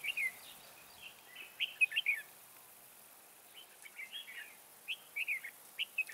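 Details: Red-whiskered bulbul decoy in a trap setup, singing high to lure others; repeated short phrases of rich, bubbling whistles at roughly one to two second intervals, with soft background hiss between.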